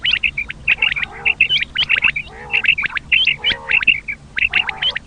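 Common quail give quick, liquid three-note calls, high and sharp, repeated in overlapping bursts, with soft low nasal growls between phrases.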